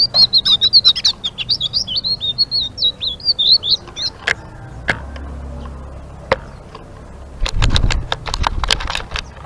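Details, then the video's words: A short burst of rapid, high, squeaky ngeriwik chatter from a blue-winged leafbird opens, followed by scattered clicks and low rumbling noise. "Suara Burung Selendang Biru Gacor❗❗ Ngeriwik"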